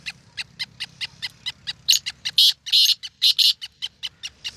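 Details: A beginner caller black francolin of the Sindhi breed, kept as a pet, in its first calling attempt: a steady series of short, dry ticking notes about four per second, broken midway by several louder, harsh, grating bursts.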